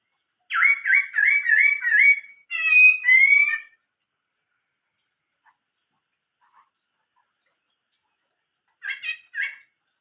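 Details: Chinese hwamei song in the 'old forest voice' style: a rapid run of bouncing, looping whistled notes, then a rich warbled phrase, a long silence, and a short burst of quick repeated whistles at the end.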